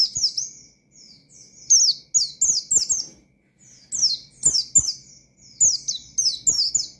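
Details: Oriental white-eye in full, energetic ngalas-style song meant to rile rival white-eyes: rapid strings of piercing, high, falling twitters in clustered bursts, separated by brief gaps, over a soft constant whine.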